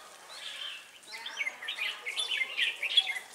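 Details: Red-whiskered bulbul singing at a trapping site in Ba Thá on 18 December 2016, a lure bird calling wild birds; bright, bubbly chirped phrases rising and falling, several short notes in quick succession.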